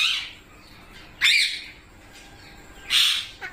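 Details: Green pet parrot, or mitthu, letting out three loud, harsh, broadband screeches spaced about one and a half seconds apart, each short and grating, in a quiet indoor room.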